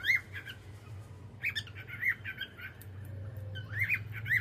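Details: Cockatiel singing in the evening, with clusters of bright arched whistles and squawky chirps at the start, middle and end, over a steady low hum.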